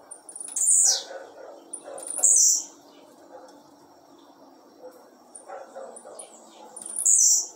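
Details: Captive-bred blue-black grassquit singing: three short, very high, buzzy notes that sweep downward, spaced irregularly with long gaps, over a faint low background hum.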